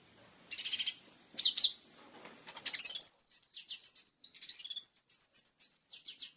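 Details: Plain-throated sunbird (kolibri ninja) singing in lively gacor style with sharp bursts: scratchy high twitters give way to a rapid run of thin, sharp chips and short whistles, roughly evenly spaced, with a quiet background.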